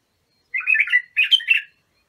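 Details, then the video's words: Abu Shuaib style song of an Iraqi bulbul, used to tutor young birds: two rich, rolling phrases of liquid whistles following closely one after the other, with no other sounds. "تغريد بلابل ابو شعيب لتخريج البلابل"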